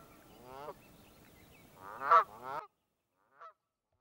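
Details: Canada goose honking: a nasal, harmonic honk, then a louder double honk a second and a half later. A brief faint call follows after a pause of near silence.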